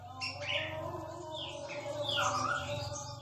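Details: Murai batu Aceh, the Aceh form of white-rumped shama, noted as rare and very melodious; quick series of clear whistled notes, rising and falling slurs and a dipping phrase, above a pulsing low mechanical hum.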